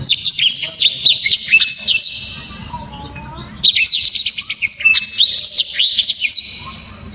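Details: Loud, dense song of a black-throated canary, a bird favoured by songbird fanciers: two long runs of rapid, sharp, high twittering notes, separated by a brief pause with faint lower sounds.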